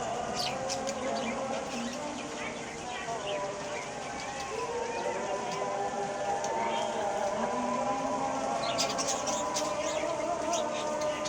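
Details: Wet budgerigars chatter continuously, mixing wavering warbles with quick, sharp chirps.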